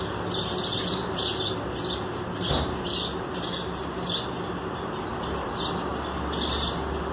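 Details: Young sparrows in paired nests being fed by their mothers, with cooked lightly salted rice set below; scratchy high chirping bursts recur every second or so, with a brief thump midway and constant background hiss.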